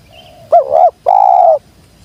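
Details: Spotted dove, local name tekukur, used as a lure call to bring wild birds down: a faint low hum, then a short wavering double coo followed by a longer steady mellow coo, recorded cleanly.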